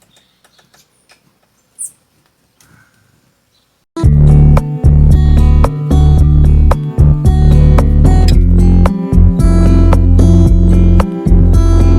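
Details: No animal voice: a few faint taps for about four seconds, then loud strummed acoustic guitar music fills the rest.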